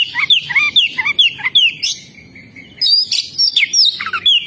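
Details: Oriental magpie-robin in energetic song: quick runs of sweet, sliding whistled notes, each phrase rising then dropping, repeated in rapid bursts, with a short pause midway before another fast run of clear chirps and whistles.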